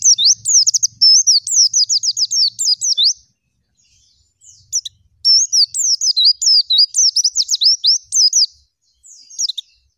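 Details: Oriental white-eye delivering long bursts of rapid, repeated high sweeping notes, a few seconds of silence between two extended rolling phrases.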